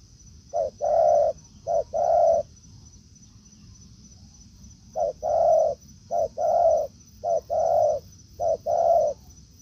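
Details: Spotted dove calls in woodland where a decoy meets a wild bird; two short bursts of paired coos, brief note then longer hoarse note, separated by a silent pause of about three seconds, thin steady high whine behind.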